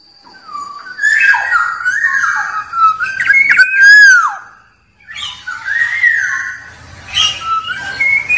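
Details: Rival-provoking song of a wild black-naped oriole: mellow whistled phrases climbing and dipping, a loud down-curving note midway, a short gap, then more warbled whistles with faint hum behind.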